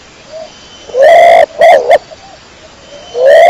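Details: Burung dara of the kecor type giving one full phrase, a long strong note and then two quick notes, then faint quiet coos, and a new long note starting at the end.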